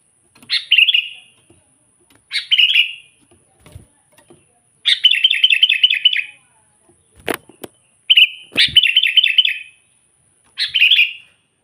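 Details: Sooty-headed bulbul singing to draw out wild bulbuls: bubbly chirped phrases and two longer trilled runs, with a few faint clicks and a sharp knock between phrases.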